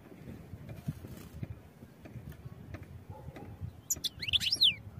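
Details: European goldfinch song used for training birds. After a quiet low hum, a brief, bright run of high twittering notes with falling slurred sweeps comes near the end.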